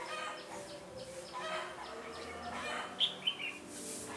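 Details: During a bulbul trapping session on 13 January 2017, a decoy red-whiskered bulbul sings to challenge a rival; quick high whistled notes, with two sharp accents near the end, sit over constant murky chatter.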